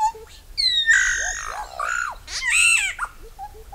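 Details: Solitary black cacique, locally bauá or boé, delivering loud harsh nasal descending calls mixed with bent whistled notes and short low hoots, one after another.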